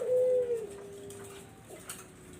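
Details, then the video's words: A low Barbary dove coo, played to lure zebra doves, opens loudly and then trails into a long, faint, even tone that dies away. "SUARA BURUNG PUTER BUAT PANCINGAN BURUNG PERKUTUT"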